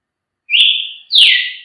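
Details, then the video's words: Two quick whistled notes from a Brazilian tanager: a level, sustained whistle followed at once by a louder note sweeping downward. "canto de Tiê sangue"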